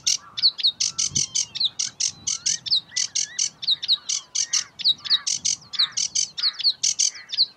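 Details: Sedge warbler singing in Uitkerkse Polder, Belgium, in May 2016: a fast, loud run of harsh chattering notes about five per second, mixed with thin whistled slurs and sliding buzzy phrases, high-pitched throughout.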